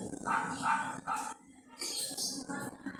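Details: Yellow-vented bulbul calling other bulbuls in its characteristic voice, giving three short, rich chirping notes about half a second apart, a lull, then a burst of higher, rapid chatter, with constant hiss behind.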